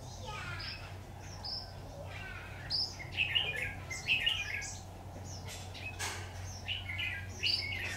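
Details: Red-whiskered bulbul recorded during trapping with a decoy bird on 26 October 2019; short warbled, slurred phrases come in bursts amid a steady low hum and faint background chatter.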